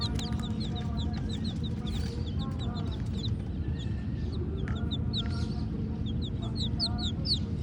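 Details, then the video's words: A group of black and white baby chicks chirping: many short, high, downward-sliding peeps in quick irregular bursts, denser toward the end, with a constant low hum underneath. "Baby Murgi Chicks Chirping Sounds"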